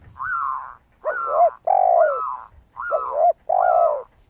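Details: Zebra dove with a crystal-clear voice sings continuously, used to lure other doves: arched, slightly wavering high coos repeat about every second, overlapping deeper coos from a spotted dove.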